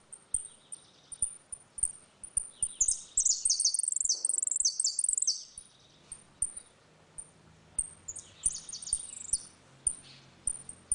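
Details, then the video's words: Ringing 'retinido' song of a Saffron finch in dispute, used for teaching young birds: thin high chips spaced about half a second apart, then a dense burst of fast shimmering trills, a pause, and another trilled run. "Canário da terra - Canto retinido com disputa"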